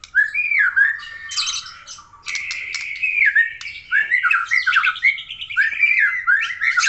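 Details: Aceh white-rumped shama in full, energetic song, mixing looping whistles, a brief harsh buzzy burst, sustained trilled notes and quick downslurred whistles that follow one another without a break.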